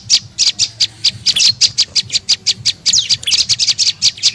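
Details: Lure call of a tailorbird, known as prenjak lumut, used to attract birds: evenly spaced sharp high chirps several per second, growing into a busier chattering cluster near the end.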